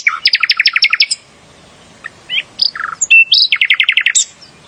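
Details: Bulbul (Sikatan Londo) song with quick runs of bright, repeated notes, brief whistled and slurred phrases in the middle, then another fast rattling run closing the phrase.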